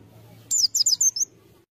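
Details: One short phrase from a lure-bird white-eye: five quick, high, sliding chirps within about a second, over a low background hum.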